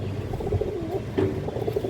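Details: Domestic pigeons of breeds such as Gola, Muslodom, Maxi, Khaki, Bagha, Kaldom, Chila and high-flyer, offered in a Bangladeshi market; soft low cooing notes repeated through the clip over steady background hum.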